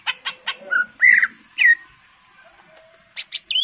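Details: Greater green leafbird song played to stir other birds into singing: sharp upswept chirps, then clear whistled slurs near mid pitch, a pause, and quick high notes ending in a rising whistle.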